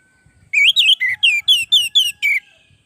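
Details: Orange-headed thrush singing as a training model for other caged birds: eight loud, clear whistled phrases in quick succession, each rising then falling, with faint low rustling underneath.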